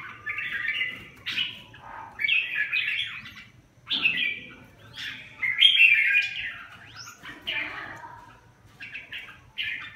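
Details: Song of a red-whiskered bulbul: short bursts of chattering, whistled notes separated by gaps of about a second, with faint low noise beneath.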